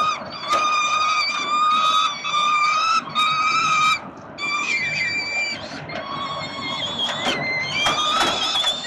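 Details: Peregrine falcon nestlings crying for food from their father, 367 Collins, Melbourne, Australia, 30 October 2021: long, steady, shrill wails repeated in bursts about a second long, with brief pauses and overlapping callers.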